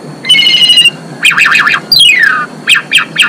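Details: Female Asian pied starling singing energetically, used to bring males into breeding condition: a buzzy harmonic trill, then rapid warbling wavering notes and a long descending whistle, followed by short sharp chirps.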